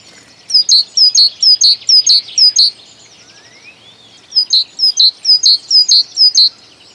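A titmouse sings two bouts of high, bright two-note phrases, about four per second. A faint rising whistle slips in between the bouts.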